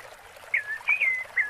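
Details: Brief phrase from a rufous-bellied thrush's 'Piedade Senhor' breeding-season song: three whistled notes, each falling then leveling, with faint background hiss.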